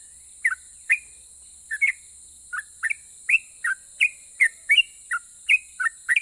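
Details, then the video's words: Sooty-headed bulbul singing in long ropel style, a song said to provoke other bulbuls to answer: short, liquid whistled notes, some with a quick rise and fall, spaced irregularly about once a second, over a steady high hiss. "KICAU SUARA trucukan gacor Ropel pajang ini RAJANYA BIKIN NYAUT trucuk lain"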